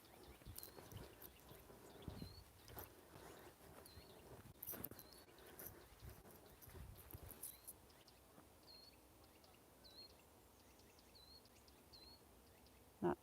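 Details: Nuthatch calling in woodland on a sunny day, a short thin rising note repeated in loose series, about ten calls spread over several seconds, with footsteps and rustling from a walker nearby.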